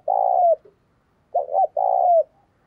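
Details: Decoy spotted dove calling vigorously to lure wild birds: a long low cooing note sliding down at its end, a short pause, then a quick double coo and another drawn-out falling coo.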